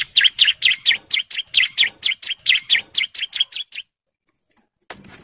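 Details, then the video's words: A male bar-winged prinia, in breeding condition, calls females with fast ngebren singing: a run of around sixteen loud, high chirps about four per second, ending abruptly, followed by a brief faint noise. "CIBLEK JANTAN BIRAHI GACOR NGEBREN MANGGIL BETINA KOLONI"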